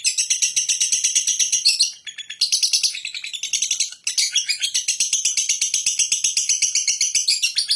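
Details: Lovebird delivering ngekek song, a long run of harsh, rapid chattering notes at roughly four a second, briefly interrupted by two short pauses before the shrill chatter resumes and carries on to the end.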